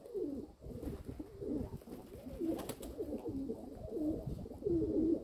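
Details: Low, rolling coos from a group of domestic pigeons owned by a keeper, recorded 27 May 2022, repeated in short wavering phrases about once a second with faint background rumble.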